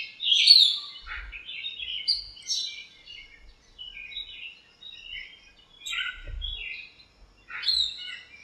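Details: Many birds fill a backyard lemon tree on a sunny morning, fighting and chirping to one another. A varied run of short high chirps and twitters, loud at the start, then softer, with faint low thumps.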